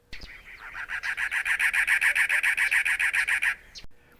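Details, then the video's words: Cactus wren, a common spring backyard bird in Arizona's deserts, gives a harsh, chugging run of about fifteen evenly paced rasping notes, like an engine cranking; sung from cholla or saguaro to advertise territory. "Cactus Wrens sing a rough, mechanical series of harsh, chugging notes, like an old engine trying to start. They sing from the"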